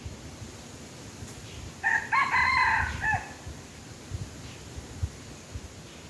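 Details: Red junglefowl crowing while being lured by a domestic chicken: one hoarse, choppy crow of about a second, ending in a short falling note, over low thumps and constant hiss.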